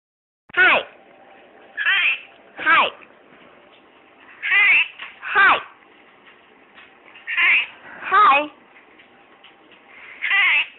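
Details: A male pet Quaker parrot (monk parakeet) gives short, nasal, meow-like calls, repeated at uneven intervals of one to two seconds.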